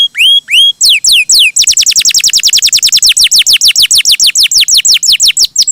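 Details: Lively, sweet canary song opening with rising looped whistles, then a long rapid string of steeply falling whistled notes repeated several times per second.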